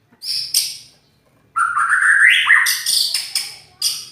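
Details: White-rumped shama giving loud, harsh song phrases: high buzzy bursts, then a rising warbled run of notes, with short pauses between bursts.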